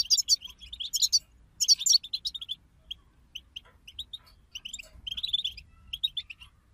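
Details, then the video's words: Several European goldfinches twitter together in the bitbita style used to stimulate a goldfinch to sing: loud jangling bursts open, followed by quieter strings of short bright chirps and chattering phrases. "أخرج حسونك من صمته واكتشف التغاريد المخفية لديه.. بتبتة رهيييبة وتحفيز خراااافي"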